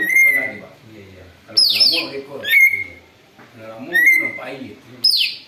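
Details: Greater green leafbird imitating an eagle, used for luring: loud level whistles alternate with high downward-sweeping screams, roughly one phrase every second, over a murmuring lower harmonic chatter.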